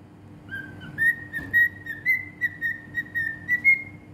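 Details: One unbroken whistled phrase from a singing cockatiel in Bahrain. About ten accented beats pulse along a level, bright tone that lifts slightly at the end, with a steady hum in the background.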